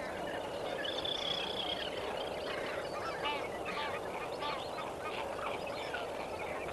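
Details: A sunrise flock of lesser flamingos at Kamfers Dam, 18 May 2024, keeps up a dense chorus of nasal honks and short goose-like calls, several overlapping at once, against constant rushing background noise.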